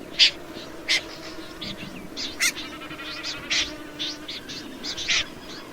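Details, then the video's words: Snipe calling with short harsh raspy notes, spaced irregularly about one per second, with fainter calls in between and a steady low hum underneath. "Tiếng chim Rẽ Run"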